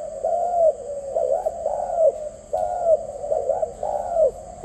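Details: Dove giving a run of low, rounded coo notes in uneven pairs and singles, with a faint steady tone in the background.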